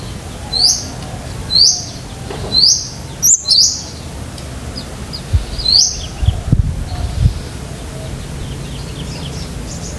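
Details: Long-tailed shrike song for training pet shrikes: a series of sharp, high, downslurred notes repeated about once a second, with a brief harsher burst midway and low background rumble.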